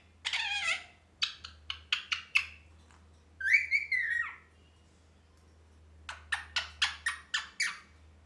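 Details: Cheerful pet parrot chirping in short harsh bursts, a rapid series of clipped notes, then a longer bending whistled squawk, silence, and another quick run of six sharp chirps; steady low hum indoors.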